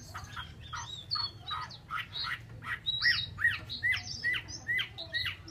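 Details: Chinese hwamei kept as a cage bird, singing a rapid series of short, scratchy rising notes repeated roughly every third of a second, mixed with higher chattering phrases over a faint low hum.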